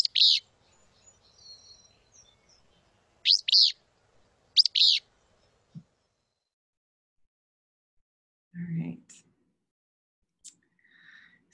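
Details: Southwestern Willow Flycatcher, an endangered species, on the San Pedro River near the U.S.-Mexico border, in cottonwood-willow riparian habitat where it nests after arriving in mid-May. It gives sharp, buzzy, sneezing notes, singly and in quick pairs, then a brief low thump and faint chirps.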